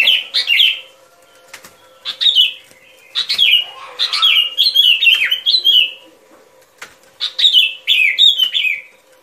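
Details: Sooty-headed bulbul song used as a lure for bird trapping: short, lively whistled phrases of quick descending slurred notes, repeated roughly every one to two seconds with brief pauses between bursts.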